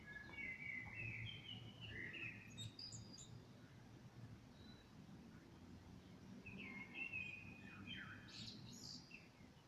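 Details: Common blackbird in evening song, two fluted warbling phrases a few seconds apart, each ending in higher squeaky twittering, over a low steady hum.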